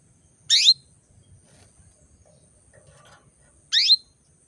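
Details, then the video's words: ['Female canary calling to bring males into breeding condition: two loud, rapid, down-sweeping chirps about three seconds apart in a quiet setting.'] "PANCINGAN KENARI BETINA MEMANGGIL JANTAN"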